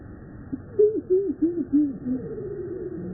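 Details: Slowed-down calls of Purple Martins at a large backyard colony in Finger, Tennessee: four quick descending slurred notes in a row, followed by a lower, wavering drawn note.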